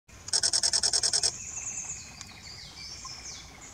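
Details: Robust woodpecker in Iguaçu National Park, Brazil, 29 August 2020, giving a quick burst of about ten harsh, nasal notes in roughly a second, then faint thin high whistles from other small birds or insects.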